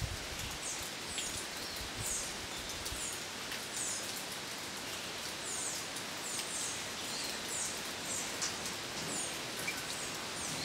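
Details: Amethyst woodstar hummingbird at Salesópolis, São Paulo, Brazil, gives thin, very high chipping notes about once a second over steady rain hiss; a male perched, bathing in the rain before a female displaces him.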